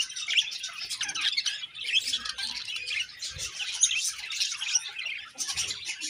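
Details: A happy colony of budgies chirping, many birds at once in a continuous bright chatter of warbled and scratchy high notes, with a few soft low thumps.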